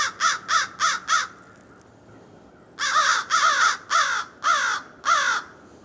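American Crow giving harsh, hoarse caws: a quick run of four, a pause, then six more at a steady, slightly slower pace.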